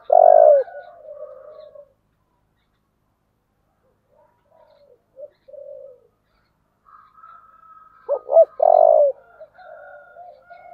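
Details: Spotted dove with the 'thổ' voice style, calling to provoke fighting: a loud, harsh coo opens, then softer trailing coos. Later come two short hooked notes and another loud drawn-out coo, with quiet fading notes after it.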